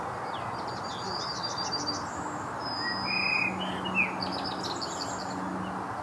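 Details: European bee-eaters (Merops apiaster) recorded in Nordrhein-Westfalen, Germany, on 11 May 2017 at 12:55, giving liquid, rolling 'prruip' calls, several overlapping in quick succession, over a steady rushing background hiss.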